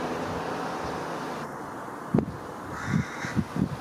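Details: Four juvenile(?) carrion crows perched on electric cables in Japan, mid-June 2018, cawing at one another and skirmishing: four short, low, harsh caws, the last three in quick succession, over steady broadband rushing noise.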